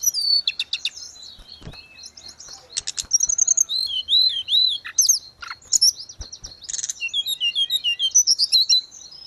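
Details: Grey-cheeked bulbul singing continuously, from audio for tutoring caged birds: a dense jumble of high chirps, buzzy bursts and looping whistled slurs, ending in a steady run of fast repeated notes, with faint clicks in the background.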